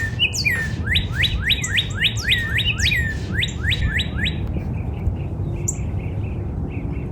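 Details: Northern cardinal singing in a backyard in spring: a fast run of about eleven loud, clear downslurred whistles over four seconds, then softer short chips, with a low steady background rumble.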